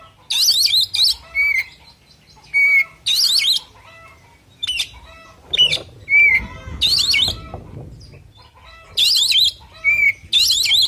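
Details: Oriental magpie-robin singing an agitated fighting song, bursts of harsh, warbling notes and bright falling whistles with gaps of about a second, faint bird twittering and rustle beneath.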